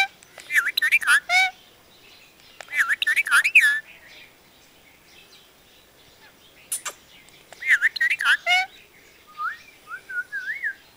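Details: Parrot talking, said to speak Punjabi sentences: bursts of squawky, speech-like syllables with wavering, voice-like tones, in three main phrases with pauses, then a softer run of short rising notes at the end.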